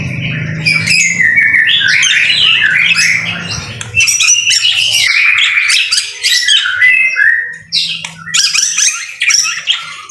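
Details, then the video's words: In rain, a white-rumped shama delivers loud, varied song. Bursts of high, harsh, chattering and squeaky phrases are broken by short pauses, with low background rumble at the start. "BIRD SOUND IN THE RAIN SUPER SPECTACULER / MASTERAN MURAI BATU GACOR"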